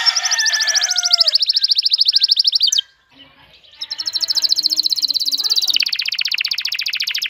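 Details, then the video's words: Ardent male canary calling a female to mate: a rapid high trill with a few lower whistled slurs, a short pause with faint soft notes, then another long fast trill that steps down into a lower rattle. "تغريد كناري جاهز التزاوج, تزاوج طاىر الكناري, نداء ذكر الكتاري التزاوج"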